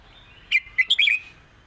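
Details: Short phrase of red-whiskered bulbul southern Thai song, used to teach birds: five quick, bright whistled notes rising and falling within about half a second.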